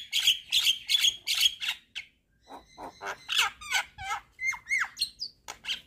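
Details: Head-nodding Javan myna in full song: loud rhythmic harsh notes repeated about two or three per second, a brief pause, then varied clicks, downslurred whistles and chattering filler phrases.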